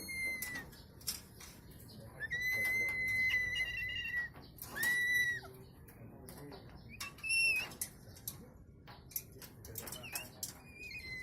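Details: A cockatoo, apparently a kept bird: several long, steady, flat whistled tones, one bending upward, mixed with short clicks and bursts of human speech nearby.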